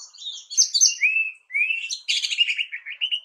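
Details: Orange-headed thrush: a rich, varied run of clear whistled phrases, some sliding upward and others fluttering high, then a burst of bright warbled notes dropping into rapid trills. The recording is clean with no background noise.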